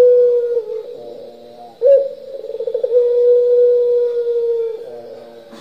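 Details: Turtle dove, pelung style, cooing continuously: a level drawn tone fades into soft rolling, then a sudden strong onset rolls in quick pulses and stretches into a long, steady coo.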